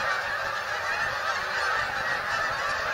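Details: Short burst of dense flock honking as migrating geese come into Bombay Hook National Wildlife Refuge on Delaware's eastern shore, USA, many calls merged into a constant roar.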